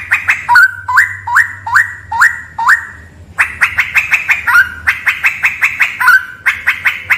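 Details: Straw-headed bulbul singing inside a cave: evenly paced, rising two-step whistles repeated about every 0.4 seconds, then a quicker burst of sharp clicks with more whistles mixed in.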